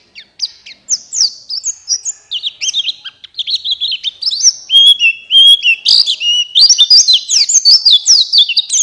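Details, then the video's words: Buxtoni white-eye lure song for encouraging reluctant white-eyes to sing: scattered high chirps build into a steady stream of rapid, bright, downslurred notes. "Pancingan Pleci Cepat buka paruh Gacor Ngalas Bukpar"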